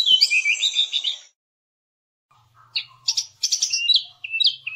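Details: Javan cochoa recorded as a training song for songbirds: a burst of buzzy, twittering high phrases, a second of silence, then sharp clipped chirps and short whistled slurs, over a faint low hum.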